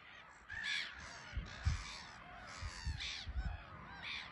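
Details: Colony of Black-headed Gulls at RSPB Frampton Marsh, birds flying to and from a small island; rasping, slightly rising squawks come in bursts from several birds, mixed with low rumbling buffets of wind.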